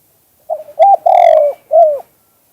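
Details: Spotted dove giving its 2-kuk-hoi style coo, a natural song used for lure trapping: a brief broken note, two rounded coos, one long buzzy sustained coo and a last falling coo, in a quiet background.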